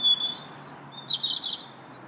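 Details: Robin in a park on March 2nd, singing a varied run of high whistles and rapid, rippling twitters in several short bursts, bright and piercing, with little else audible.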